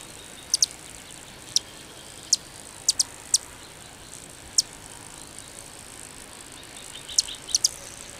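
Calliope hummingbird giving very high, thin, sharp tsip notes, single or in quick pairs, spaced irregularly over a soft steady hiss.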